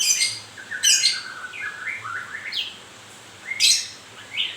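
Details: Moulting white-rumped shama, captive songbird, singing: varied whistled phrases gliding and rising, broken by sharp high harsh bursts around one and 3.7 seconds.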